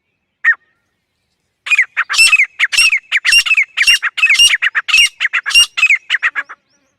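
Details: After a single opening note, a female grey francolin launches into a hurried, uneven string of loud, rasping notes lasting about five seconds.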